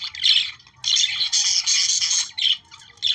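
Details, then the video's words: Budgerigars calling to encourage breeding: harsh, grating squawks and chirps in bursts, a brief gap early on, then a long, busy run of chatter. "Periquitos 🦜australianos para activar su reproducción"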